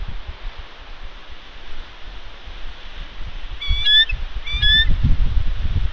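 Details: Nesting female bald eagle on Santa Catalina Island, California, in February 2021, calling as ravens harass her at the nest. Two high, squealing, harmonic calls come close together late in the clip, with wind rumbling beneath.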